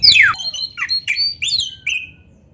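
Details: Oriental magpie-robin, black-breasted form, in full vigorous song on a training recording: a loud falling whistled sweep followed by short bright whistled phrases, some slurred upward, fading out toward the end; faint low hum underneath.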